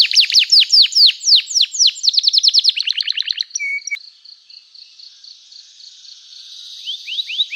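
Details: Energetic canary singing, played to get other canaries to reply: rapid sweeping downslurred notes and a quick trill, a short whistle, a quiet stretch of faint pulsed notes, then a few falling whistles.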